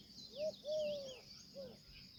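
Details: Indian peafowl, described as a peahen: three loud arched, nasal notes, a short one, a long drawn-out one and a softer third, over steady high insect chirping.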